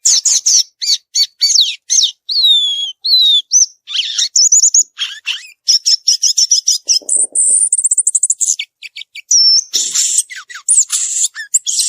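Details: Violaceous euphonia singing in nature: a long, rich stream of fast high twitters, whistled slurs and rattling trills, with quick repeated note runs throughout.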